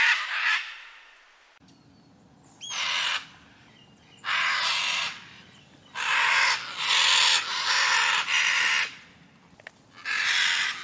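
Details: Scarlet macaw screaming in flight-call fashion, a series of harsh raucous squawks about half a second to a second long, repeated at irregular intervals, with a faint steady background hum and a few thin whistles.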